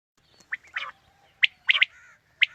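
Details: Calling quail, as used by hunters in the morning: short, piercing high notes, single and doubled, mixed with a brief lower buzzy note over a quiet background.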